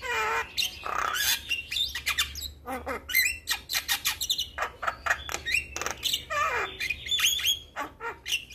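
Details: Javan pied starling in a training recording for young starlings: a busy, loud stream of harsh squawks, chattering clicks and twisting whistled notes, closely spaced and varied, continuing throughout.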